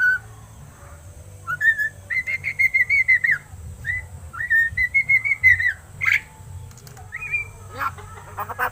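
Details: Captive seven-month-old crested myna beginning to talk, delivering rapid trilled, pulsing whistles in long runs, followed by a rising note and scratchy clicking sounds at the end.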